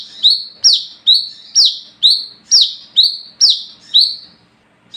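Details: Wiceh, the olive-backed sunbird, in a loud nocturnal lure song for attracting its own kind: about nine piercing high notes in five seconds, each a quick rising flick followed by a strong downward-sliding whistle, evenly spaced.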